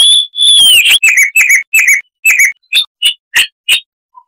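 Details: Sylvia subcaerulea, the Chestnut-vented warbler of southern Africa, opening with a long clear whistle that slurs downward, followed by evenly spaced sharp chirps, roughly three per second, fading toward the end.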